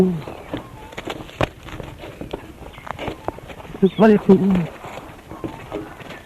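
A musk duck mimics human speech: a burst of hoarse, voiced, word-like syllables that could pass for 'you bloody fool', set against faint hiss and clicks.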